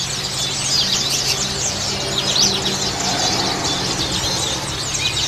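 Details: White-eye chatter used to lure birds: busy, shrill overlapping chirps run nonstop. A faint low droning tone and a steady hum sit underneath.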